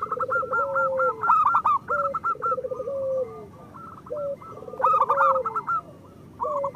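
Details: Group of local zebra doves in full song, a master recording to make silent birds sing. Rapid clipped coos chatter above low burbling trills ending in drawn-out notes, phrases overlapping continuously.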